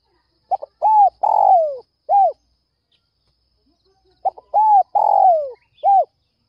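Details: Two complete phrases from a Spotted dove luring other doves in the early morning, a few seconds apart. Each has clipped opening notes, an arched coo, a long falling hoarse coo and an ending arched note.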